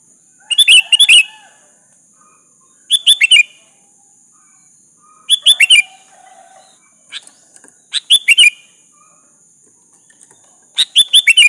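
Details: Lure song of a sooty-headed bulbul meant to provoke a rival to answer: five repeated bursts of quick, bubbly whistles every two to three seconds, plus a soft extra chirp and a continuous high hum.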